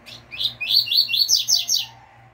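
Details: Double-collared seedeater giving its 'tui tui fibra' song style, a tutor recording for caged seedeaters: a fast run of about eight sharp, slurred chirps, evenly spaced and bright, over a low steady hum.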